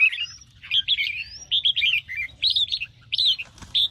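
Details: Caged red-whiskered bulbul trained for competition, morning singing: clear separate whistled phrases about every half second, bright and slightly warbled, with a thin upslur early on and a soft knock near the end.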